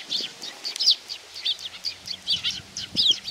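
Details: Sparrows begging a handout at Tenmangu, Nakanoshima, on 7 June 2020. A steady run of short, high chirps, roughly three per second, with a few sharper squeaky notes. A faint low hum lies beneath.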